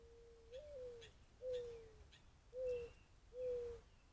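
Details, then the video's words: Dove cooing near a deck, captured by a trail camera: four soft, low, hollow coos, each about half a second long and slightly falling, spaced roughly a second apart over a faint background hiss. "Dove cooing trailcamera"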